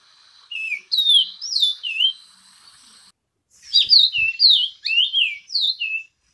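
Orange-crowned oriole song: a rich series of slurred, swooping whistles, rising and falling, delivered in two bursts of about five notes each.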